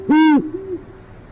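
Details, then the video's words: Great horned owl, urban northwest Oklahoma City, where the male makes another failed attempt and the female stays out of sight. A single brief, loud, grating call followed by a faint low hoot. "Altera heard not seen - Alessondra's OKC Great Horned Owl"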